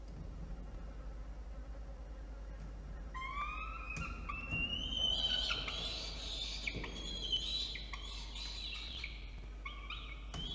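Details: In a water-tower nest box at Orange, New South Wales, a young peregrine falcon objects to its nest being cleaned on a November 2021 afternoon. After three quiet seconds come loud, drawn-out, rising screeches with overlapping harsh wails and clatter.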